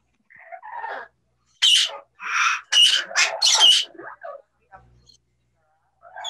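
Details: Pair of captive parrots in a bird safehouse, described as mixing English words into their calls to one another; a burst of bright, scratchy squawks and chattering syllables, about five in quick succession.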